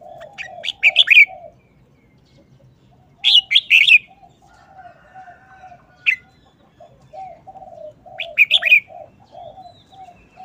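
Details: Red-whiskered bulbul in a short, fast-paced wild-style song: three bursts of four or five crisp whistled notes and one single note, accompanied by repeated soft low coos from another bird.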